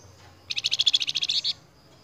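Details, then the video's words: Flamboyan song used as a lure recording for training cage birds: one rapid, evenly pulsed high trill of about fifteen notes lasting a second, over faint low background hum. "PANCINGAN BURUNG FLAMBOYAN YANG GACOR"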